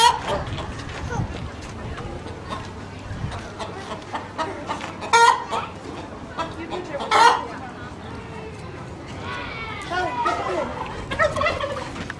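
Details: Agitated chicken making a fuss (4-12-15): scattered clucks, then two loud, sharp squawks and more cackling toward the end, with human chatter and laughter mixed in.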